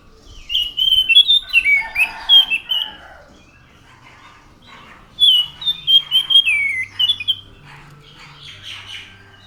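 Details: Orange-headed thrush (anis macan) gives two long bursts of whistled, slurring song mixed with lower warbles, with a quiet pause between them.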